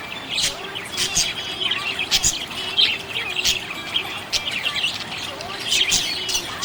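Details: Budgerigars chirp happily in quick, scratchy high bursts separated by brief gaps, with a soft warbling undertone and occasional sharp clicks.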